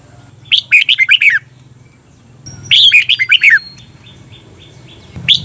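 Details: Red-whiskered bulbul in a training recording for caged birds, teaching the doubled song: two lively phrases of quick fluty notes about two seconds apart, over a low steady hum, with the start of a third phrase.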